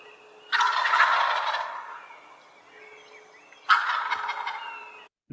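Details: Wild turkey (Meleagris gallopavo) gobbling: two loud, rapid, rattling gobbles about three seconds apart, each lasting around a second, over a faint steady hum. The gobble serves courtship display, attracting a mate and defending an area from males.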